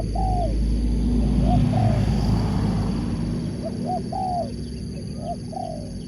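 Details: Spotted dove, a sport dove kept for song competition: paired mid-pitched coos, each rising then falling, repeated in short phrases over a steady low rumble of background noise.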